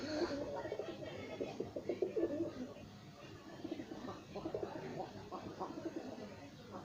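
Several pigeons coo and grumble in low, throaty, overlapping murmurs that roll on without pause, with short louder bursts among the soft burbling.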